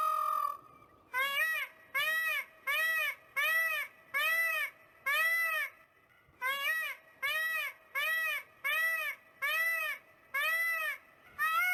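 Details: A peacock (Indian peafowl, Pavo cristatus) on a small farm gives its courtship mating call: a quick series of about eleven loud, nasal, arching honks, roughly one each second and rich in ringing overtones, with a brief pause midway.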